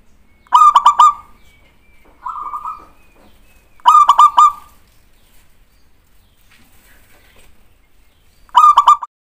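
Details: Zebra dove cooing played to provoke an answering call: mid-pitched, rapidly pulsed coo phrases roughly every three to four seconds, with one softer phrase between them. The background is otherwise quiet.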